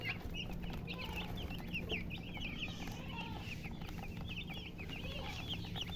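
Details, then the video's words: A hen with her chicks: a busy stream of high, wavering cheeps from several chicks, with a faint lower hen murmur and a steady background hum. "silly chicken chirping sounds with murgi hen color chicken"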